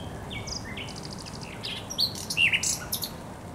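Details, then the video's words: Thrush nightingale song recorded at the Żerań Canal on 24 April 2022: a varied mix of short whistled notes at different pitches, rising into a louder cluster of quick, chattering elements. "Śpiew słowika rdzawego na Kanale Żerańskim"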